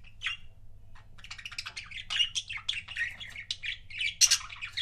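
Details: Pet budgie couples: one short squawk, a brief pause, then nonstop lively warbling chatter of quick buzzy chirps and shrill notes, loudest toward the end.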